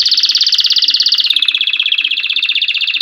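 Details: Canary song meant for young birds to learn: a fast pulsing trill of bubbling notes that steps down to a slightly lower, steady rolling tour.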